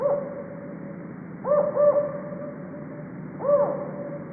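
Northern Spotted Owl giving low, arched hoots: a single note, then a quick pair, then a longer hoot, over a steady electronic hum.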